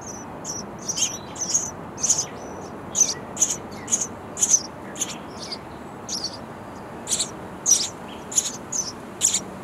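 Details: Nestling sparrows inside a bird house call for their parents, who feed them insects all day; a steady run of sharp, high chirps, roughly two per second, over a soft outdoor hiss.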